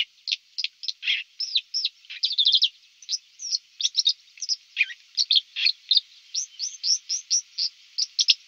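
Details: Dipper by the Lieser river at Wittlich, 2019, delivering a rapid continuous warble of high chirps, trills and scratchy notes with no pauses.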